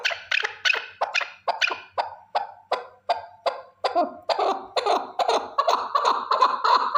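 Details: One male partridge gives a long series of harsh, chuckling notes, about three per second, growing louder and more crowded toward the end, with a quiet background between notes.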